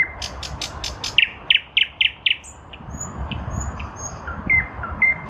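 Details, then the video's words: A nightingale singing within a lilac bush in spring 2023 delivers a series of clicking strokes, then loud repeated rising whistles, trailing off into softer high notes and whistles. "Nightingale in a lilac bush"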